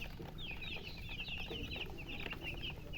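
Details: A group of baby chickens (colour chicks) calling out from thirst for drinking water: rapid, shrill, descending cheeps crowding one another without pause, with a low background rumble.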